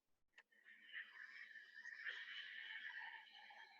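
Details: In Uganda, a turaco, a very vocal bird, gives a harsh, raspy, rapidly rolling run of calls lasting over three seconds, sounding slightly distant and roomy, with a faint click just before.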